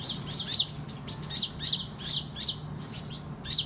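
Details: Kolibri ninja sunbird in strong song for competing and tutoring: a rhythmic chain of high, slightly buzzy notes repeated roughly every half second throughout, with a soft low hum in the background.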